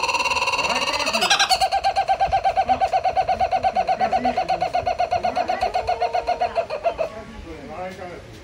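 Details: A Laughing Kookaburra at the Campbelltown bird forest gives a loud, rollicking, human-like laugh: a fast run of hoarse, repeated ko-ko-ko notes for about six seconds, then fading chuckles, with fainter calls underneath.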